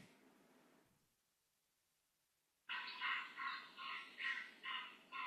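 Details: Canvasback recording played for an audience during a poetry talk: after near silence, a run of six nasal, harmonic notes begins, repeated about twice a second with short gaps in a quiet room.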